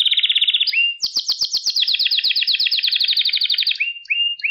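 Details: Pet canary singing, recorded for song training of young canaries: a bright rapid trill, rising whistled slurs, then a long rolling series of fast sweeping notes ending in short upslurred whistles.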